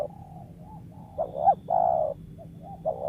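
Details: Wild spotted dove used as a lure, calling a low cooing phrase: two quick hiccuping notes then a drawn-out coo, with a soft background hum.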